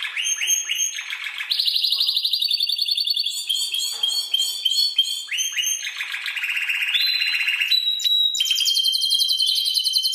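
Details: Spanish timbrado canary singing a tutor recording meant to train other birds. Dense rolled trills alternate with short metallic notes, and the pitch steps up and down between phrases.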